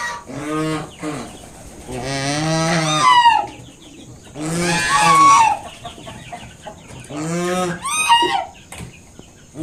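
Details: Defending five newly hatched cygnets, a mother swan repeats drawn-out nasal honks roughly every two seconds, each a rough, harmonic blast aimed at a person drawing near.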